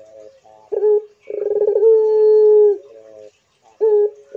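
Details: Pelung Barbary dove: a quick clipped note, a gurgling lead-in, then a steady prolonged coo ending with a slight drop, and a further short note after a pause.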